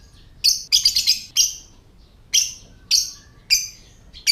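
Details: Lovebird ngetik or typing call, meant to trigger calling and breeding condition in other lovebirds: an opening rapid flurry of harsh chirps, then single sharp bursts spaced about half a second to a second apart.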